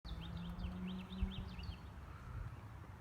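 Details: Birds in a spring neighbourhood just before sunset: quick, high zigzagging chirps repeat several times per second for about two seconds over a steady low rumble like distant traffic or wind.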